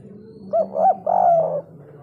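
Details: Spotted dove giving the 'kuk 3' call: two quick hollow, arched notes lead into one long, sustained coo that trails off, with a faint low hum behind.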